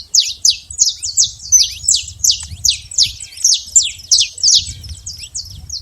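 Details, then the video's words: Saffron finch living free in the wild, giving a steady series of high, bright chirps, each a quick descending slur, repeated nearly three times a second without pause; soft low background rumble. "canário da terra livre na natureza"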